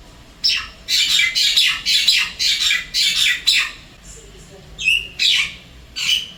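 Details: Javan myna, wild, stopping by an apartment in Singapore and calling its partner: a run of rasping squawks at an uneven beat, followed by a few sliding whistles and further harsh notes.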